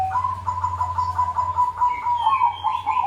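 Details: Zebra doves cooing as a lure for doves not yet singing; steady pulsed rolling coo phrases, about eight quick notes, then overlapping rising trills from other birds.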